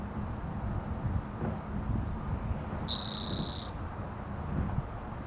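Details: Spotted towhee (Pipilo maculatus) call: a single buzzy, slightly rising mew lasting under a second, over a steady low rumble of wind or traffic.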